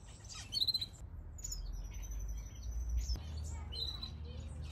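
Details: Finches in an outdoor mixed aviary shared with softbills give short, high chirps and thin tweets in scattered bursts, with a steady low rumble of background noise underneath.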